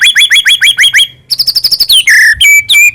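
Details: White-rumped shama of the Medan type in full song, used as a lure to make other shamas sing: a fast run of identical upswept whistles, a pause, then rapid high notes ending in downslurred and flat clear whistles.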